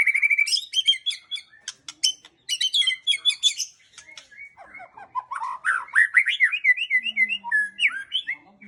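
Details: White-rumped shama singing a rich varied song: bursts of sharp clicking chirps and rattles, then a run of clear whistled notes rising and falling, with a faint low hum late on.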